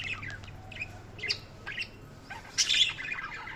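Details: Budgerigars chirping in quick warbled chatter, with short squeaky notes and a louder harsh burst late on, with a faint low hum behind.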